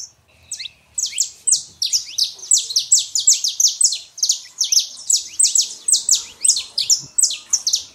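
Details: Singing male and female saffron finches to warm up a quiet canary: after a brief pause, a fast, steady series of loud, sharp, high chirps, almost continuous, on a quiet background.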